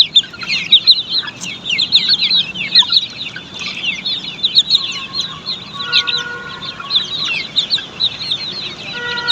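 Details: Australorp chicks at a poultry farm chirp nonstop, many overlapping squeaky downslurred notes, with short intermittent tonal hums appearing in the second half.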